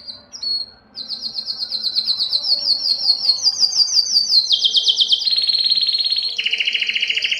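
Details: Excited canary singing for mating, a steadily pulsed series of high notes rising gradually, then dropping into loud, dense buzzing trills at lower pitch toward the end.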